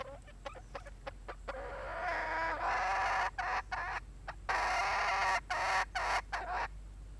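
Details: Red junglefowl hen giving a loud, harmonic, nasal cackling call in drawn-out bursts broken by short gaps, with a few quick clucks at the start; a quiet outdoor background.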